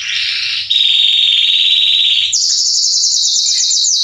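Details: A male Belgian canary (Salsa) delivers three linked trill phrases: a buzzy opening, a long steady mid-pitched roll, then a higher rapid rattle held to the end.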